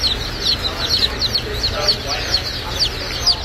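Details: Baby chicks of Golden Laced and Blue Polish chickens at a US hatchery, many calling at once; shrill falling peeps repeated rapidly and overlapping in a continuous busy chatter.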